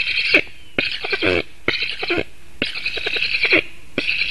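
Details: Black stork chick on its nest in Latvia, August 2018, begging as its parent comes back to feed it: choppy, hoarse rasping calls in short clustered bursts, repeated rapidly with brief gaps, recorded by webcam.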